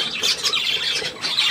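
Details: Budgerigar chatter from 3 April 2017, a fast jumble of high squeaky tweets and short whistles with small gaps between bursts.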